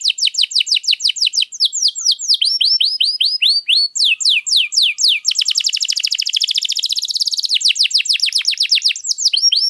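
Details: Lively canary song used as a training master for other canaries: rapid, rhythmic series of high sweeping whistled notes that shift in pace, including a very fast rolling trill near the middle, loud and clear throughout.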